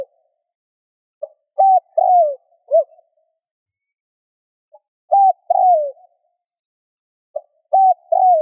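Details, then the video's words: Spotted dove coo phrases used to stimulate other doves to coo: three mellow, repeated phrases, each a faint lead note, a flat hoot and a longer falling coo. The first phrase ends with an extra short, bent note. "Tiếng cu gáy RÚT BỔI hiệu quả , Chim cu rút bổi bài bản.chim cu gáy . cu gáy thúc gù kích bổi"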